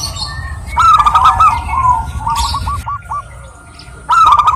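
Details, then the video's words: Local female zebra dove calling a male: rolling trilled cooing that breaks into a run of short stuttered notes, then a loud coo starting again at the end, over a steady low rumble and hiss. "burung perkutut gacor betina memanggil jantan ini"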